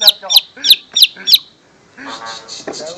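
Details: Lesser green leafbird song used as a lure for young wild-caught birds, Pekanbaru, Riau: five sharp, high, downslurred notes in quick even succession, then a lower harsh, buzzy phrase.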